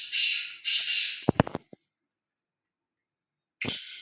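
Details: Free-roaming, fearless black francolin. The clip holds the tail of a harsh, grating call, two rasping notes, then a few dry clicks and a pause, and a new rough note starting at the end.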